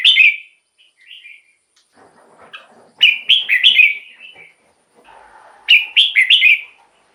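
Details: Red-whiskered bulbul, kept in a cage and played to lure wild birds or excite caged birds, giving loud bubbly three- to four-note whistled phrases about every three seconds, with softer chattering notes between phrases.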